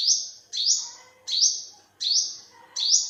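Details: Five bright, high-pitched olive-backed sunbird notes within three seconds, each rising sharply then holding a thin, slightly buzzy tone before fading, spaced roughly two-thirds of a second apart.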